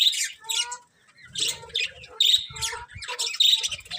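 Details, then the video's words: A group of budgies gives loud, sharp chirps and squawky calls in rapid clusters, with warbling lower notes between them after a short quiet moment. "Cute Colourful Budgies Chirping Sounds"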